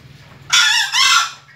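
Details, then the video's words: A young junglefowl crows for the first time with a short, hoarse two-part crow. A rough rising syllable breaks briefly, then a second strained note fades out, over a quiet low hum. "suara anak ayam hutan pertama kali berkokok"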